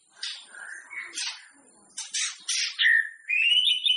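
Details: White-rumped shama singing to spur other shamas before competition: scratchy chips and short harsh notes in separate bursts, followed by a clear rising whistle.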